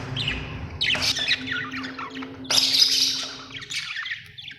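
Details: Budgies chirping, described as Australian birds: scratchy chattering bursts in two main waves with brief pauses, over a faint steady hum.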